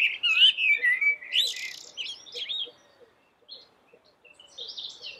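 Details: Common blackbird, the black yellow-beaked bird, singing sweetly: a clear, fluted, descending warble with a rough buzzy note, then quieter broken fragments and a thin, high twitter to finish.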